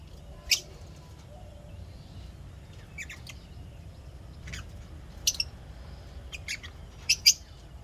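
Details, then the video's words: Lovebirds chirping happily, giving scattered bright, high-pitched chirps, some doubled, separated by quiet gaps, against a faint low hum. "lovebirds chirping sounds happy"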